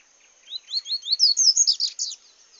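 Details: Double-collared seedeater singing in the bush. A bright twittering phrase of about ten short upslurred notes builds from soft to loud and climbs higher, ending in a dense burst of warbled notes against a quiet background.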